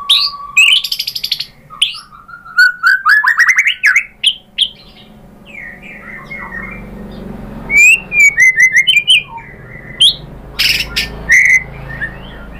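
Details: White-rumped shama (murai batu) in energetic full song showing off its imitated material, played as a lure to get other shamas answering. Loud, varied bursts of rapid chirps, rising whistles and buzzy trills come in clusters with short pauses.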